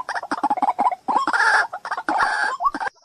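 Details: A white-breasted waterhen recorded in July 2024 delivers fast stuttering nasal notes, broken by two longer grating, rasping bursts, before ending in a few upslurred croaks.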